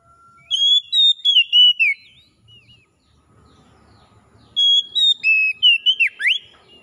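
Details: Oriental magpie-robin ngalas song meant to bring back singing in a kacer that has dropped off: two loud whistled phrases of sustained and swooping notes, separated by a pause with faint low background rumble.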